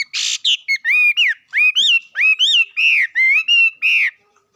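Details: Bird song opens with a harsh squawk, then becomes a steady series of clear, rich whistled notes, each rising then bending down, about two per second.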